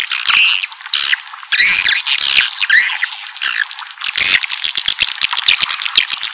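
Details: Swiftlet call for luring a colony into a building: loud, irregular high chirps and buzzy trills that run together, followed by quicker, softer twittering.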